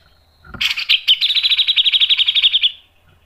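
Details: Cucak jenggot, the grey-cheeked bulbul, in energetic mbeset and nembak song meant to draw out other birds: a sudden sharp opening note, then a fast, even trill of high chirps held for about two seconds before fading.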